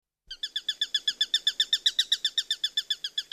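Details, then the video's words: Bird chirping recorded as relaxing nature sound: a fast, even series of short sharp chirps, about four per second, each with stacked bright overtones, running steadily for three seconds after a brief silence. "Birds Chirping Sounds"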